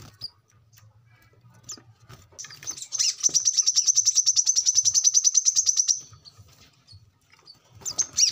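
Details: Song of a brown-throated sunbird meant for training captive birds: one sustained trill of rapid high buzzy notes lasting about three seconds, framed by scattered thin chirps and soft low background noise.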